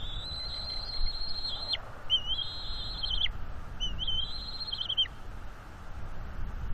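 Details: Juvenile bald eagle mantling on the nest, puffed up and guarding fish from its parents, 19 April 2021; three long, thin, steady whistled squeals, each about a second and a half and ending in a quick downward slur, over low rumble.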